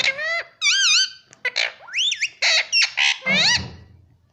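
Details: Pet Indian ringneck parrot talking indoors, taught to say mummy and papa in Hindi; a run of bright, squawky, harmonic syllables with wavering rising and falling inflections, several quick phrases in succession.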